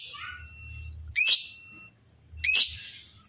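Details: Two sharp, screechy chirps from a lovebird, about 1.3 seconds apart, given to draw answers from other lovebirds, over a faint low hum and thin background whistles.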